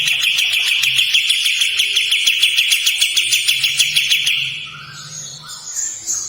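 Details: Kapas tembak delivering a steady harsh trill of quick, even pulses for over four seconds before it cuts off, leaving faint scattered notes.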